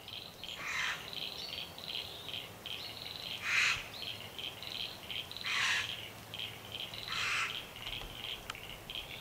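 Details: Satin bowerbird (Ptilonorhynchus violaceus) displaying at its bower in a country garden in Victoria, Australia, on 25 July 2024: harsh, buzzy bursts about every two seconds over a steady, high, chattering trill of mechanical-sounding notes.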